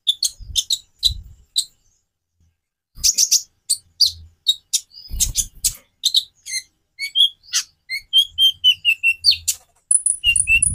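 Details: Konin (Van Hasselt's sunbird) singing a long, varied sequence: sharp high chips, then a rapid series of short whistled notes at two pitches, ending in a drawn-out high whistle, with low rumbling noise in places.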